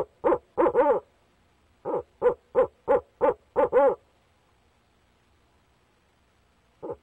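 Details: Nest-box barred owl, the male calling to his mate on 29 April 2019: quick hoots ending in a slurred drawn note, then a regular run of about seven hoots finishing long and wavering, followed by quiet.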